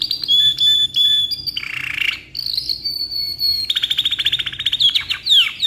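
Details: Caged canary of ngeroll black-red type in full gacor song, long phrases meant for tutoring: steady high whistles, a buzzy low roll, a long level whistle, then a fast ticking trill and rising sweeps.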